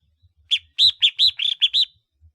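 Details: Ring-collared red-whiskered bulbul decoy uttering a quick string of seven rich, bubbly whistled notes, each sharply arched in pitch and delivered within about a second and a half.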